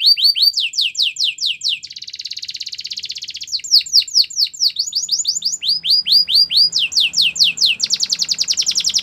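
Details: Canary singing a training song, opening with rapid downslurred whistles, then a dense buzzing roll, then more sweeping notes and rattling trills, changing phrase every couple of seconds with no other sounds.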